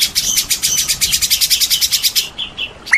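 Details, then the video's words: White-rumped shama, a champion singer, with rain sounds: a fast, even series of harsh buzzy pulses, about eight a second, ending in a few thin whistled slurs over steady background hiss. "TERAPI MURAI BATU JAWARA"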